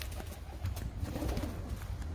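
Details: Pigeons at midday in Pensacola, Florida give low, soft, murmuring coos that run together over a steady deep rumble of background noise.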